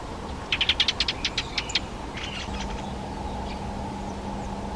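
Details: Fieldfare (Turdus pilaris) giving a harsh chattering call: a quick burst of about ten dry, rasping chack notes over roughly one second, then a few fainter rasps, over a steady low mechanical hum.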